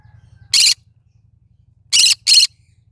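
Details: Cinnamon green-cheeked conure, described as singing: one harsh, raspy broadband squawk followed by a quick pair of similar squawks, over a steady low mechanical hum.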